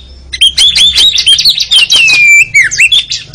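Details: Oriental magpie-robin singing continuously for contest-bird training, a rich warbled stream of fluid whistles with steady chattering underneath, ending in dipping, looping whistled notes.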